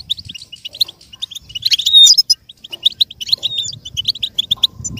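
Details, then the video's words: Goldfinch singing a tutor song for learning birds: steady high tinkling notes, then a loud buzzy flourish with a drawn-out whistle at the second mark, and a faint low hum underneath. "With stimulation for the goldfinch to learn and imitate sounds"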